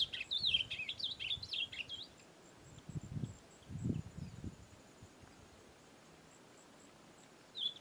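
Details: Ultramarine grosbeak in brownish plumage, singing out in the wild: a burst of quick, twisting warbled notes for the first two seconds, then low rustling and quiet, with a brief snatch of song returning at the end.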